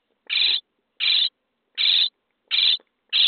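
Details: Five short, harsh, hissy rasps, evenly spaced about 0.7 seconds apart, from common starling nestlings being fed in a nest box on day 23.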